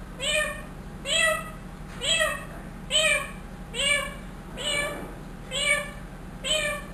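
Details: A trained one-year-old pet ringneck parrot mimics a cat's meow, giving eight nasal, arched meows in a steady series, one roughly every second.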